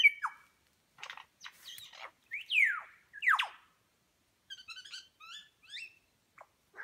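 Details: Superb lyrebird in New England National Park, New South Wales, copying other birds' calls during a tail-feather display: scattered sharp notes and loud descending slurred whistles, followed by quick twittering chirp series and a short final note.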